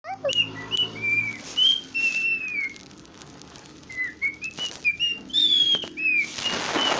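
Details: Cockatiel whistling, a series of clear tonal whistles rising and falling between notes, some gliding downward, with brief pauses and faint background clicks and rustles.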